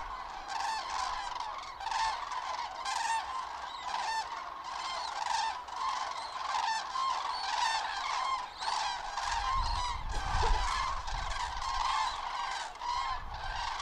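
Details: A flock of common cranes on autumn migration over Lahn-Dill-Kreis, central Hesse, on 31 October 2022 in poor weather, gives loud, rolling, trumpeting calls that overlap continuously. A brief low wind rumble comes midway.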